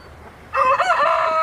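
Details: Rooster crowing, a loud harsh drawn-out call that starts abruptly and holds steady to the end, over faint background noise.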